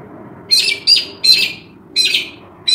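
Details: Wild Australian magpie in Australia giving harsh, buzzy, rasping bursts, each about a quarter second long, repeated four to five times with short gaps. A faint low hum runs underneath.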